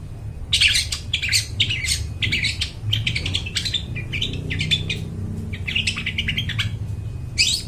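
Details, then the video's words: Actively singing long-tailed shrike with a clear, ringing voice, meant for luring wild birds in the forest: a dense, almost continuous stream of scratchy, chattering and squeaky notes over low background hum. "cendet gacor, suara plong bening cocok buat pikat burung dihutan"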